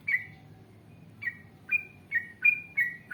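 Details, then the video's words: Yellow-vented bulbul in energetic gacor song of the ngalas panjang, ropel panjang style, used as a lure to make other bulbuls answer. Separate short bubbly whistled notes falling from high to mid pitch, spaced irregularly over a low background rumble. "Masteran Trucukan Gacor Ngalas Panjang Ropel Panjang"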